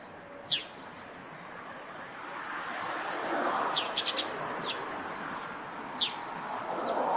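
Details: Eurasian tree sparrow near its nest on a roof, giving a few sharp, high, downslurred chirps spaced a second or more apart over a steady broad rushing background.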